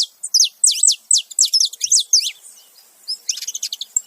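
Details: Male and female saffron finches calling together. Loud, rapid series of steeply falling high chirps runs for two seconds, pauses, then resumes as softer clustered twitters.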